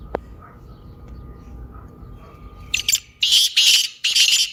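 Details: Black francolin (kaala teetar) calling, meant to prompt a lazy caged francolin to call: low hum and a click, then from midway a burst of harsh, rasping notes, several loud grating syllables close together.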